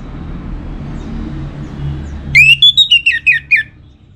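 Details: Orange-headed thrush kept for song contests in northern Bali, Singaraja: after low background rumble, a quick series of about eight sharp whistled notes, falling slightly in pitch, lasting just over a second.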